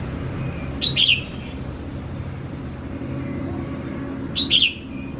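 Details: Red-whiskered bulbul, a tamed bird now bold with people, gives two brief bright whistled phrases, each a fast rising then falling note pair, spaced three and a half seconds apart against constant low background hum.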